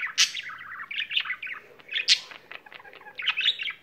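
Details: Budgerigar kept as a pet singing: quick chirps, trilled rattles and a couple of piercing squeaks in a short lively burst, over a faint hum.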